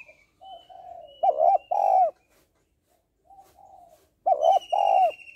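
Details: Female spotted dove calls to attract and stimulate males: two loud, deep double coos roughly three seconds apart, each preceded by softer warbling notes, with a faint high whistle above.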